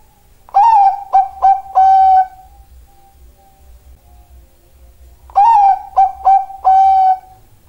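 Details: Bangkok-type zebra dove singing two matching phrases: a swelling opening coo, two brief clipped notes, then a drawn-out steady coo, the pattern repeated after a quiet gap of about three seconds.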